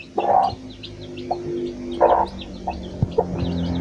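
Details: Mother hen with her chicks foraging for food: loud low clucks in bursts near the start and around two seconds, with soft higher peeping from chicks scattered throughout and a steady low hum behind.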